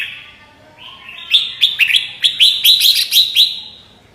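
A red-whiskered bulbul sings a quick run of bright, liquid chirping notes, about nine or ten in two seconds, rising after a thin, soft whistled lead-in.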